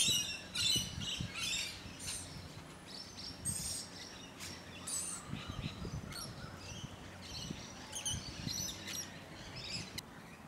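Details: A run of sharp, high, rasping calls from musk lorikeets in Hunters Hill, Sydney, Australia, recorded in late spring 2020, late November to early December. Bursts come roughly twice a second at irregular spacing over faint background rumble.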